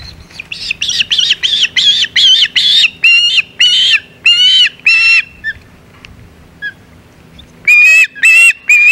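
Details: Calls of an osprey at the Hog Island nest, July 2020, with a shad delivered. Harsh, strained chirps repeat nearly twice a second, fade into a pause with a few soft notes, then resume loudly.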